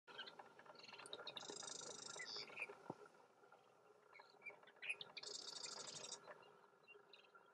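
Western grebe gives two harsh, grating, high-pitched rasping calls about four seconds apart, over a low steady hum and a few faint chirps.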